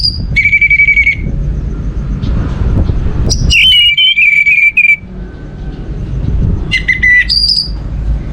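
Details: Orange-headed thrush singing, used to prompt other birds into song: three separated bursts of clear whistled phrases, a steady mid-pitched note then sharp slurred figures, with a low rumbling hum underneath.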